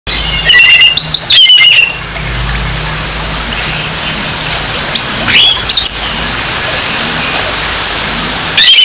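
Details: Orange-headed thrush giving a harsh song meant to provoke aggression in another orange-headed thrush: loud whistled phrases sliding down around mid-high pitch, brief bursts at the start, middle and end over steady background hiss.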